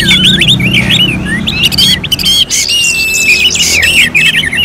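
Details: Orange-headed thrush song, recorded for contest-style singing practice: loud, fast run of varied whistled and slurred notes, rising and falling, with short trills, over a low steady hum and occasional clicks.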